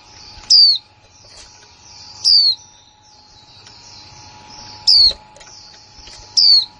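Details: Female white-eye, a new bird in 2020, uttering 'líu' calls: four loud, high, downward-slurred whistles at uneven gaps, over soft background twittering and a constant low hum.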